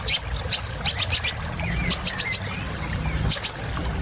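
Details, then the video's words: Kolibri ninja sunbird singing a lavish filler song: short bursts of three or four piercing high chips, spaced by brief pauses, over a faint low hum. "Suara Kolibri Ninja Isian Mewah Bikin Burung Semangat"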